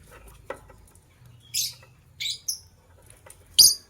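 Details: White lovebirds, a matching pair, in the morning: four short, shrill, high chirps spaced about a second apart over a faint low hum.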